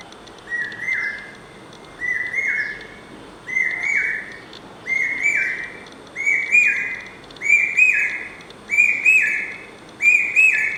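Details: Common hawk-cuckoo singing without pause: shrill whistled phrases repeated about every 1.4 seconds, building in loudness and climbing slightly in pitch through the series, each phrase an urgent hiccuping rise and fall, with faint high ticking in the background.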